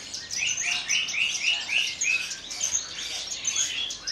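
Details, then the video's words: Captive Javan bush lark from Kulon Progo singing in the Jambul style while quivering its wings: a fast series of rising buzzy chirps, several per second, then scattered high twitters. "KICAU DAN GAYA "BEGAWAN", BRANJANGAN TLATAH ASLI KULON PROGO"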